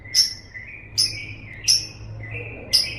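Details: Lovebird sounds for training kept birds: four sharp, high, squeaky chips about one second apart, each followed by a thin, lower drawn-out whistle, in a quiet background.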